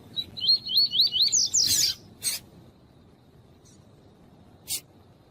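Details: Male double-collared seedeater (tuí-tuí type) kept by breeders for singing tournaments, paired with a calling female to warm him up: a quick run of about eight slurred, rising whistles, then sharp broadband clicks and a faint tick.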